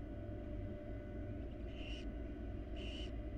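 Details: Barn owl mother and chicks in the wild at a research nest box. Two raspy, breathy screeches come roughly a second apart against constant low-pitched background rumble.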